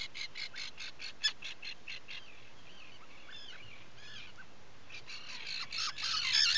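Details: Atlantic puffin calls from a nesting burrow at Seal Island National Wildlife Refuge, Maine, 12 July 2018 around 4–5 am: a rapid run of harsh, scratchy chirps, then several thin wavering whistles, and finally a denser burst of rasping notes.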